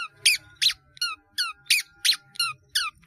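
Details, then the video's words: Mimicking long-tailed shrike in 'gacor' fill-in song for training caged birds: a sharp descending squeaky note repeated steadily about three times a second, with a faint low hum. "CENDET GACOR ISIAN BANYAK"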